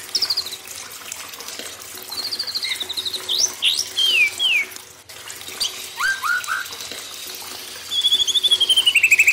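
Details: White-rumped shama song for training young forest-caught birds: descending whistles, sharp upslurred notes, low rising notes and a long fast trill at the close, set against trickling water.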